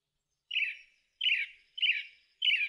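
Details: Song thrush song: one harsh, scratchy phrase repeated four times at roughly half-second intervals, each burst dropping slightly in pitch.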